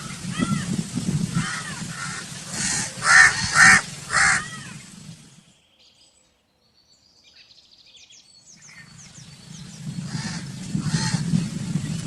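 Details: Crow calling with several harsh caws amid low rumbling noise, a silent gap midway, then more caws over continued background rumble.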